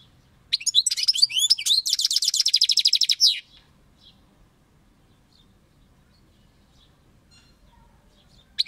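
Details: European goldfinch in full song: bright twittering phrases that run into a fast, even, buzzy trill of repeated notes, lasting about three seconds before falling silent.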